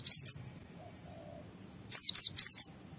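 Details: White-eye singing loud 'ngalas' style song, used as a lure to prompt other white-eyes to sing: a pair of very high, thin downslurred whistles, a quiet pause, then a quick run of three sharp descending notes.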